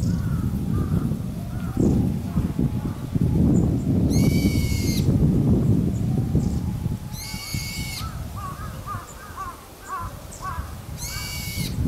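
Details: Brown-eared bulbul bathing at Gotenyama bird forest on 2 February 2017 gives three loud, harsh, screechy calls, one every three to four seconds, over a steady rush of water and faint twittering.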